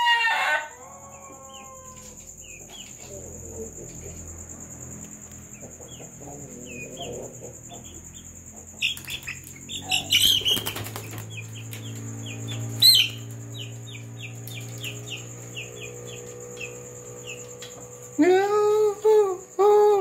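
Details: At night, a laughing-breed rooster kept with a Bangkok hen gives short, broken crows over a steady high insect whine.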